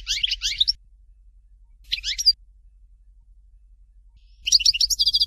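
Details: European goldfinch delivering Dalya "Fort de L'eau" song: two high twittering bursts, then a longer phrase closing in a rapid, metallic trill of repeated ringing notes; soft low hum underneath.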